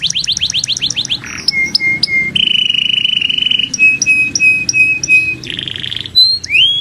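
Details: Master canary singing: a fast series of rising chirps, then long steady whistled notes and short repeated tones near the upper middle range, ending in upward-swept whistles.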